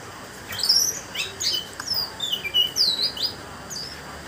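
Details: Privately kept orange-headed thrush (anis merah) from Banjarnegara, Indonesia, singing in the teler style: a quick run of clear, high whistled phrases that slide up and down, with short squeaky notes, over a steady faint hiss.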